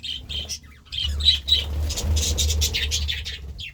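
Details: A flock of budgerigars going wild over vegetables: clipped chirps at first, then a dense run of scratchy, warbling squawks and chirps over a low fluttering rumble.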